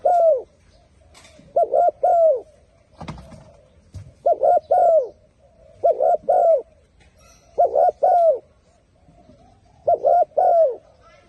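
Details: Turtle dove cooing: paired, quick arched coos in short bursts repeated about every two seconds, mid-pitched and mellow, with a faint continuous hum and one brief knock near the three-second mark.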